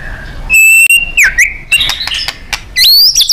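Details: White-rumped shama with a powerful song used to train contest birds: a long pure whistle, a sliding downward note, a burst of scratchy chatter, then a high rising whistle.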